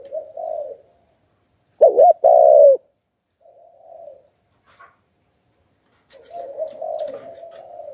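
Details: Decoy spotted dove cooing in the 'hạp bổi' voice to draw in wild doves: a soft coo, then a loud, abrupt double coo, quieter trailing coos, and a long, wavering, subdued cooing phrase to close, with brief faint clicks.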